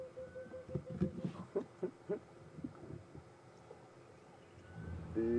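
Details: Emerald-spotted Wood Dove on an afternoon safari drive at Djuma and Arathusa game reserves, 18 January 2015, gives a run of soft, low hollow coos, about eight notes in two seconds, then fades; a vehicle engine rumbles at the end.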